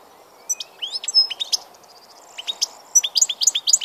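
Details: European goldfinch singing: rapid high twittering phrases with sharp rising chirps and short trills in two bursts separated by a brief pause, over a faint low background hum.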